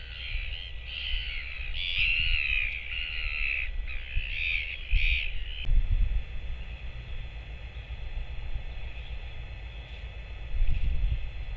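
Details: Filmed by a nest camera on 24 July 2024 while its parents stayed away, a solitary Royal albatross chick gives a series of choppy harmonic calls for about five seconds, then falls silent, leaving only wind rumble.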